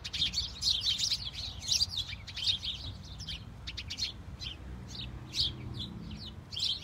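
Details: A flock of house sparrows tweets in falling snow, with constant bright, short, overlapping cheeps in a busy chatter over a low rumble.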